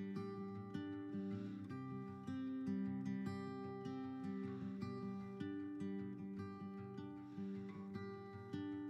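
Steady acoustic guitar music plays throughout with plucked and strummed chords and no animal sound.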